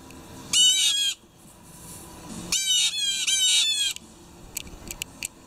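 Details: Several blue jays calling loudly in the morning: a harsh, ringing burst of three quick harmonic notes, then after a pause a second run of four similar falling notes, with a few faint clicks near the end.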